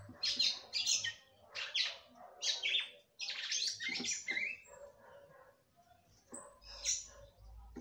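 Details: Female red-cowled cardinal singing to excite the male, giving a series of separate, high, sharp chirped bursts at first, then softer, more scattered notes, with a faint low hum at the end.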